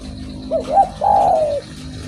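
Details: Derkuku (spotted dove) cooing energetically: two quick soft notes climbing slightly, then a long steady mellow coo that tapers off, set against a steady low electrical-like hum.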